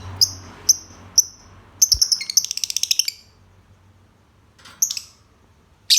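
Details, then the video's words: Lovebird calling with sharp high chirps, a few spaced single notes, then a quick rattling burst of rapid buzzy notes around the middle, followed by quiet and two more sharp chirps near the end. "Kicau Burung Lovebird"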